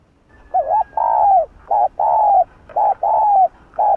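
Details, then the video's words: Spotted dove urging call used to provoke other doves: quick back-to-back phrases, each a short wavering note then a sustained coo, four in four seconds. "Cu Gáy Giọng Hạp Bổi [ GÁY GỌI + THÚC + Gù ] Kích Bổi Cay Cú .Chim cu đất gáy"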